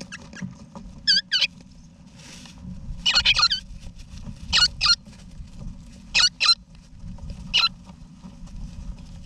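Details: Wild eastern rosella parents with their chicks in a backyard nesting box in Australia, November 2018: bright, chattering, warbled notes in close pairs, about five bursts spaced one to two seconds apart over a low steady rumble.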